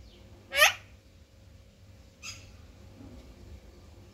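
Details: Parrot (mithu) giving one loud, harsh rising squawk, followed after a pause by a fainter, shorter rasp. Steady low hum runs throughout.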